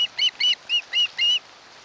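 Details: An osprey at a nest on Kent Island, Maryland, home to a mated pair, around midnight on 1–2 August 2018, gives a quick run of five high, clear, slightly slurred whistles about a quarter-second apart.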